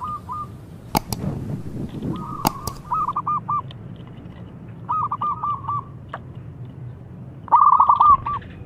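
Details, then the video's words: Zebra dove of a local type, sung as a lure to prompt mute doves into song: several fairly faint cooing phrases of quick repeated notes, one louder phrase near the end, with sharp clicks and knocks early on. "Perkutut Lokal Gacor SUPER JOSSSS‼️ Pancingan yang Bisu"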